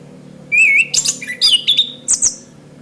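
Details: Orange-headed thrush song for tutoring caged birds: a trilled, wavering whistle, then fast high chattering phrases in clusters with sharp squeaky notes, repeated in quick succession.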